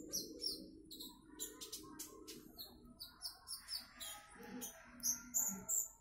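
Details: Konin trotol bird delivering bright, high chirps and short whistles in quick bursts, with faint low murmuring noise at times.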